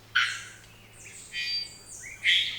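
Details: Black-faced Solitaire in Costa Rica's cloud forest, which nests in moss, sings to keep contact with its partner: three short bursts of high, ringing, metallic whistles about a second apart over a faint low hum.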